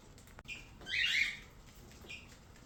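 A cockatiel gives a harsh, screechy call, framed by brief fainter chirps before and after.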